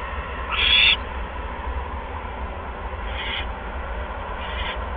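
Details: Owl at a nest on a live camera, the evening of 16 February 2015 at 8:38 PM, bringing a second mouse. One harsh, hissing screech is followed by two fainter ones, over a steady low hum.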